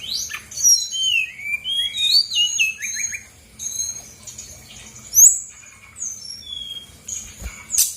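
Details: Brown-chested jungle flycatcher, a female from Bali, in lively lure song meant to make idle birds respond: tumbling series of clear whistled slurs and chirps, then higher thin whistles with a sharp note near the end.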